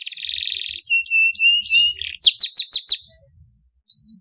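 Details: Singing canary, masteran-style tutor song with sharp tembakan bursts: a buzzy trill, clipped notes and level whistles, then five sharp downswept notes in a row, ending in near silence.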